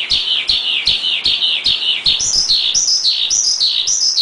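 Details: Masteran recording of a Javan pied starling, or jalak suren, singing: a run of loud downslurred notes spaced roughly every 0.4 seconds, then switching after two seconds to higher, faster paired notes.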